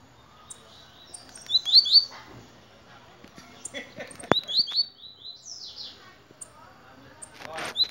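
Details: Blue-black grassquit song: short high buzzy bursts of upslurred notes at irregular intervals, with a sharp click, other faint chirps and rustling noise around the phrases.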